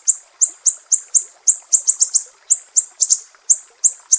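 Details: Sharp 'besetan pedih' song of a Sumatran mangrove whistler, a training master for songbirds: piercing high notes spaced roughly a quarter second apart, several double-struck, with no other sounds.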